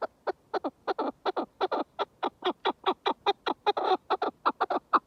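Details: Chukar partridge giving an uneven, rapid chatter of harsh clucking notes, some doubled, each sliding down in pitch, continuing throughout.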